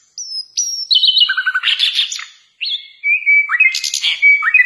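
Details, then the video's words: A flycatcher called "sikatan londo", said to be the nightingale and used as a song tutor for other songbirds, sings a quick, varied run of clear whistles, slurred notes and buzzy chatter, high-pitched and pausing briefly midway. "masteran SIKATAN LONDO!! guru vokal untuk semua burung kicau"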